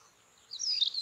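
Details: In the evening on the Padma/Ganges char lands, a white-tailed stonechat gives a brief, high, scratchy twittering call or song phrase lasting about half a second, over faint background hiss.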